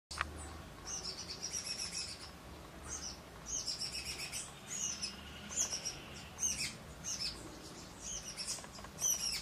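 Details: Shiny cowbird chick, a brood parasite, being fed by its foster Rufous-collared Sparrow (tico-tico) host: high, thin begging chirps in quick, irregular bursts, with other sharp bird chips around it.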